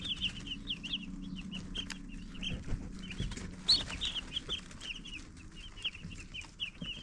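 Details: A flock of baby chicks keeps up a busy, high-pitched peeping, short notes tumbling over one another, with a low hum and light tapping behind them.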